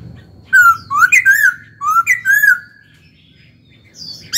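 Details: Caged laughingthrush in song delivers two similar phrases of ringing, slurred whistles about a second apart. A brief high sharp note closes the clip over low background rumble.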